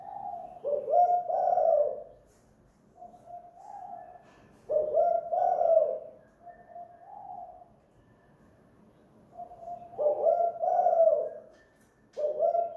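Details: Spotted dove decoy bird singing eagerly at home in the 'kuk gantung' style: repeated phrases of a short hoot followed by a throaty, rolling double coo, three full phrases with quiet gaps between.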